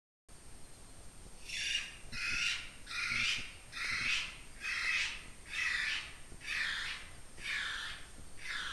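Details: North Island brown kiwi pair duetting at night near Russell Wharf, New Zealand, a greeting for territory and pair bond: the female's harsh, guttural rasping notes answered quickly by the male's shrill, excited whistled cries, a little more than one each second.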